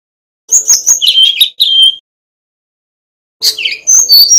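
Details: A male Brown-chested jungle flycatcher from Bali sings two quick bursts of high, sweet, warbling notes, whistled phrases sliding between higher and lower pitches, with a pause between.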